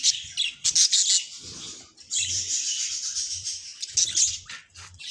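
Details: Domestic budgerigar pair singing and talking: bursts of shrill chattering and raspy warbling separated by a short pause, then a long continuous scratchy stretch, with faint low knocking.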